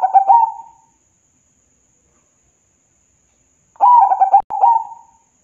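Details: Local zebra dove singing to prompt reluctant birds to sing. The tail of one mellow cooing phrase, a long silence, then a second stuttered, trilling coo phrase broken by a brief sharp click.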